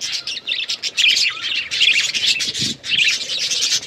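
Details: Hand-tame budgies chirping loudly in a steady stream of buzzy, twittering warbles with tiny gaps between phrases.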